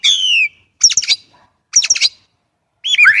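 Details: Chinese blackbird singing: a clear descending whistle, then two bursts of rapid chattering notes, ending in a rising, warbled whistled phrase, with short silent gaps between phrases.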